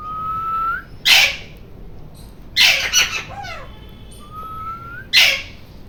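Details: Shrill rose-ringed parakeet screeching in loud rasping bursts, one a stuttering double scream, alternating with level whistled notes that rise slightly at their ends.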